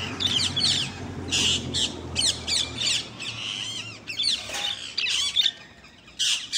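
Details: Rainbow-coloured budgerigars chatter in a busy, high warble of rapid chirps, squeaks and scratchy notes; Budgerigar.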